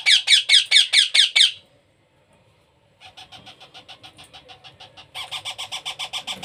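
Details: Loud harsh rhythmic rasps from a baby parrot at hand-feeding, then a pause. A soft series of notes follows, then a steady run of pulsed begging notes.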